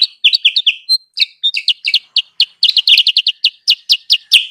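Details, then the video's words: Sooty-headed bulbul calling as a lure for wild birds: choppy high chirps, some paired, some slurred downward, delivered in an irregular, dense, lively stream throughout. "suara pikat burung kutilang sutra"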